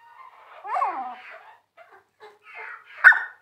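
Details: A pet grey francolin indoors gives a harsh, harmonic squawk that bends down in pitch, followed by a few soft clicks and a sharp closing note.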